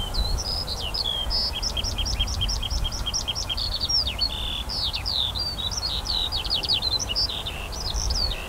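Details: Eurasian skylark singing over a barley field, 28 June 2018 in summer; bright, very high notes run in a fast regular series of clipped chirps, then varied twittering slurs, with faint wind.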